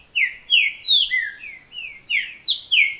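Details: Rufous-bellied thrush raised in captivity sings loud, pure whistled notes sliding downward, about seven notes in three seconds, evenly spaced.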